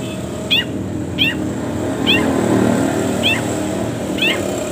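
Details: Long-tailed shrike song, used to train and prompt caged birds, with many pauses: five brief, raspy, falling notes spaced roughly a second apart over a steady low rumbling background noise.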